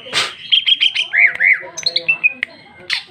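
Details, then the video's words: Chatty female greater green leafbird in loud open ngeplong delivery, packed with varied phrases: a harsh burst, then pure level whistles and rolling slurred notes, followed by sharp clicks and short chirps. "Cucak ijo betina paling gacor ngeplong isian super mewah"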